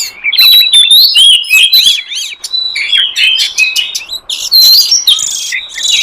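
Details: Lure sound of a wild forest oriental magpie-robin, played to draw in wild magpie-robins: a dense, fast stream of clear whistled notes, slurs and rising-falling phrases mixed with harsh buzzy bursts, loud and continuous throughout.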